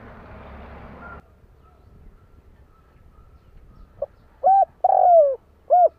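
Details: Kept spotted dove giving a lure call to bring in wild birds: a burst of rough noise opens, then after quiet comes a phrase of a soft pip, arched coos and a drawn-out descending coo.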